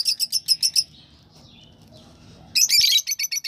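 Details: Lovebird uttering rapid series of shrill, high chirps, about six evenly spaced notes, a short quiet pause, then a dense burst of squeaky chirps followed by more spaced notes.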